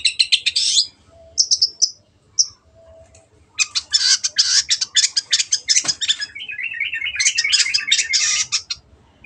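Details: Gacor cendet, the Long-tailed shrike, in a clear-voiced tutor recording for other birds to imitate: high buzzy phrases, short squeaks, then a long dense rattling run that ends in quick warbled notes, over a soft low hum.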